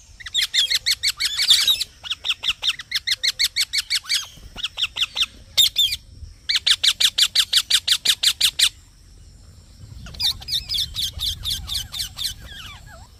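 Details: Green parrot giving long bursts of rapid, harsh, high chirps, about three per second, in bouts separated by brief silences; a low rumble underlies the later part.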